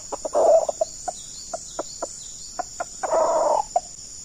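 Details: Red junglefowl, a decoy cock facing a wild rooster in a trapping session, giving two short, hoarse crows about two and a half seconds apart, with sharp single clucks between them over a steady high insect drone.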